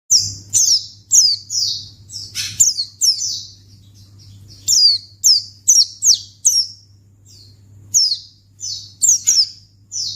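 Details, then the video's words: White-eye calls used to lure other white-eyes into responding: bursts of thin, high, downslurred chirps, often in quick pairs or triplets, separated by short pauses, with a steady low hum underneath. "Pleci Akan Langsung Merespon Memancing Bunyi Burung Pleci"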